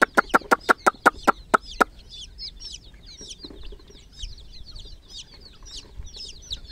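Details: A rapid series of about nine loud sharp clicks opens, then chicks in a water pool take over with scattered high, downward-slurred peeps.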